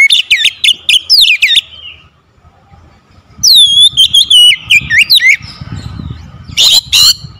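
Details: Oriental magpie-robin singing to trigger another bird into song: rapid looping whistled notes, a brief pause, then a long run of bright slurred whistles, ending with harsh rasping bursts and low rumbling background.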